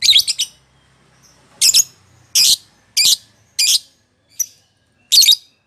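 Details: Lovebird played to encourage a rarely singing lovebird: a run of harsh, buzzy squawks, some doubled, roughly every half to one second, with one brief thin chirp among them.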